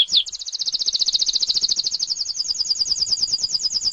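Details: Canary master song for tutoring other cage birds, heard as one sustained, very high, rapid rolling trill of evenly repeated notes, opened by a short upward sweep and continuing steadily for about four seconds.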